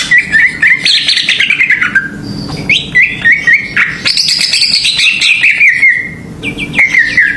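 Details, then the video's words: Greater green leafbird song used as a lure to stir other birds: clear whistled phrases, several gliding downward, some repeated, with trilled notes and bright high accents, against a faint steady hum. "PANCINGAN CUCAK IJO ‼️ AWAS NGAMUK BIAR GA BISUU"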